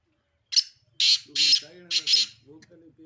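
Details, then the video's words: Sindhi kala titer (black francolin) giving four or five loud, rasping notes while a lower, voice-like tonal sound runs under and after them. "Full Awaz Sindhi Kala Titer Awaz"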